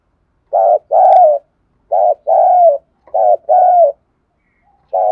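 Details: Lure recording of a spotted dove from Đồng Nai, Vietnam, meant to excite decoy birds. It gives repeated paired coos, each a short throaty note followed by a longer purring, slightly falling one, roughly every second and a half.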